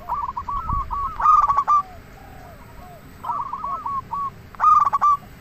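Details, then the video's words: Local zebra dove singing actively, used for trapping and luring other doves into calling back. It gives trilling series of soft coos with louder, ringing, stuttered phrases twice, about three seconds apart. "Perkutut Lokal Gacor RAJA PIKAT Ahlinya Bikin Semua Burung Perkutut Langsung Nyaut"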